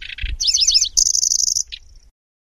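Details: {'text': 'Kecici belalang (Lanceolated warbler) chatter: a low rasping burst, then looping wavering notes, a long high insect-like trill, and one final short buzzy note.'}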